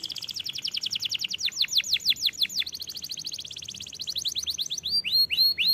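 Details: Canary song used to coax young canaries into singing, a rapid run of high repeated notes shifting into slower sweeping slurs and back to quick trills, finishing with short rising whistles.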